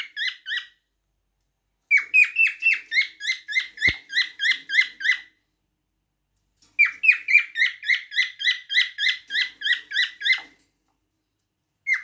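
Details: Singing cockatiel delivering bursts of fast, regular, raspy chirps, roughly a dozen per burst, separated by silent gaps of one to two seconds, with a single faint click in between.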